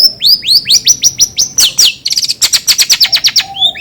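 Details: Long-tailed shrike song meant to stimulate another bird's singing: a series of clear rising-then-falling whistled notes, then a fast rattling burst of sharp high notes, ending with a quiet low whistle.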